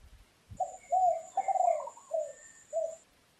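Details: Dove calling softly from tree branches in forest: a series of five mellow, hollow cooing notes with short uneven gaps, the middle ones longest, while a thin high steady tone hums throughout and a brief low thump sounds at the start.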